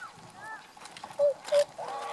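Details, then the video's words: Tundra swans on 1 January 2014, adults and a juvenile present; two loud, brief, flat whistled notes spaced a third of a second apart, followed by a harmonic-rich held call at the end. "コハクチョウ "Cygnus columbianus" の鳴き声"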